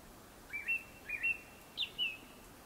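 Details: Japanese Thrush singing before sunset: clear whistled phrases in three short pairs of notes, each pair ending slightly higher, in a quiet setting with soft background hiss.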